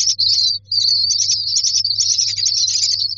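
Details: Nestling mynas in a nest box begging for food: an unbroken chorus of shrill, wheezy, quavering high calls after one brief pause, with a steady low hum beneath.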